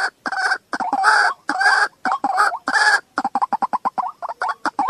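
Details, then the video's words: White-breasted waterhen, recorded July 2024, gives harsh croaking calls in half-second bursts, then a quick run of short clucking notes, several per second. "Jal murgi ki Awaaz"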